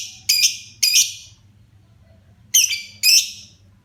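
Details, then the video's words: Pet lovebird beginning to sing freely: two paired bursts of harsh shrill chirps separated by a pause of over a second, with a quiet low background hum. "Burung LB mulai gacor"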